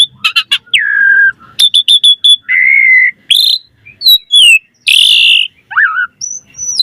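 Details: Lure song of an Asian pied starling: brisk clicks and chirps, then long falling and level whistles, harsh noisy bursts and a high thin whistle at the end, no other sounds.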